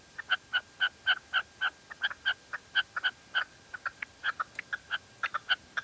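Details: Female red-legged partridge in La Mancha giving a continuous run of short, crisp notes, about four per second, some louder and some softer, with no other sounds.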